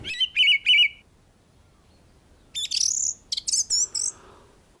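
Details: A male song thrush singing from a treetop in the New Forest, spring (March–April) 2021, gives a clear, fluty note three times in quick succession, then bursts of higher, squeakier, more varied phrases.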